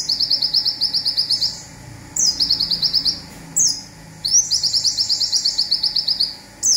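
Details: Olive-backed sunbird from Indonesia, local type, giving its zipper shot used for training birds: four high, fast trills of roughly ten sharp notes each, most introduced by a descending whistle, with short silences between.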